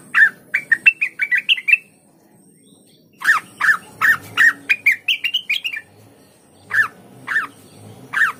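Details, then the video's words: {'caption': 'Lesser green leafbird (cucak wilis) singing, used as a lure to prompt other kept leafbirds to sing: bursts of short, bright chirps, each slurring up then down, run in quick series, then a pause before another run and three spaced notes.'} "dijamin cucak Wilis mu bakal ikutan gacor mendengar suara burung cucak Wilis ini"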